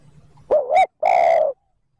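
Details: Spotted dove call used as a lure for wild birds: a wavering, rolling two-part coo followed by a long, steady, hollow coo. A faint low hum precedes it.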